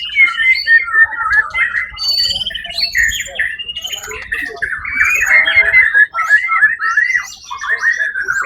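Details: Winning white-rumped shama at a songbird contest on 1 October 2023, producing a continuous, chattering song of fast repeated notes and whistled fragments, with a brief pause near six seconds, then high buzzy trills.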